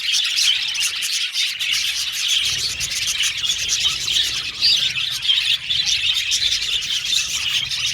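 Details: Colony of male violet budgies in an aviary keeps up a steady, busy high-pitched warbling chatter, overlapping chirps and squeaks with no pauses.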